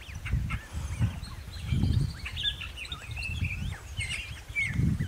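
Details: A Bare-faced Curassow in Emas National Park, Chapadão do Céu, Goiás, Brazil, gives deep, low humming booms roughly every second, under a busy chorus of higher chirps and whistles from other birds.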